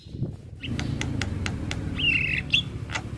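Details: Male Javan myna singing to prompt other mynas to join in: a series of harsh, broadband rasping bursts followed by a sustained whistled note and a short rising whistle, over a low background rumble.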